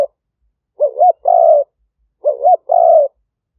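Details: Spotted dove of an aggressive decoy strain, recorded on a smartphone in Roi Et, Thailand, in 2021: two loud phrases, each a quick double hoot and then a long vibrating coo, in a quiet setting.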